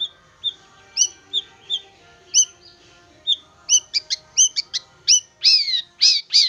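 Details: Young wild-caught long-tailed shrike, tame after roughly three months and singing regularly; scattered paired chirps that speed up into a dense run of loud, upward-sweeping whistles with lower harmonic tones.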